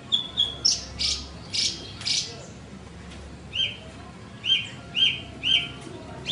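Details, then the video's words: Horsfield's bush lark (branjangan) song: a few harsh, buzzy bursts, then clear, bright chirps repeated about twice a second over a faint background hiss. "Suara Burung Branjangan"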